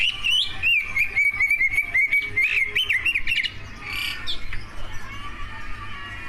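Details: Greater green leafbird, a competition-winning bird with a full repertoire of mimicked phrases, singing to provoke other leafbirds: rapid warbled, twisting whistled phrases, looping up and down, with sharp clicking notes and a brief pause near the end.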